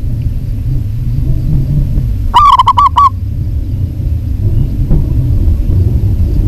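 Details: Female zebra dove of local stock calling a male, delivering one brief series of about five rapid, mellow coos amid continuous low rumbling noise.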